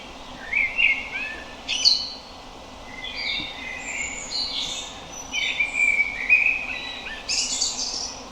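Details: Common blackbird (Turdus merula) delivering varied song phrases, fluty mid-pitched whistles alternating with high thin squeaky flourishes, in separate bursts over a constant hiss.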